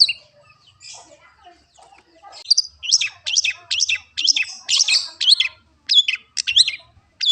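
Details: Long-tailed shrike singing for a training recording: soft scratchy notes build into a fast run of loud, sharp, high chirps and rising whistled strokes, about three per second.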